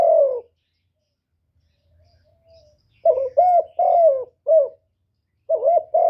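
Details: Spotted dove calling, urging and cooing to stir wild doves: a single low, slightly falling coo, a pause, then a quick run of four hoarse, level coos and two more at the end, in a quiet setting.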